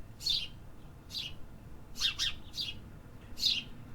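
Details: City birds chirping: a loose series of downslurred notes including a quick double chirp midway, over faint low background rumble.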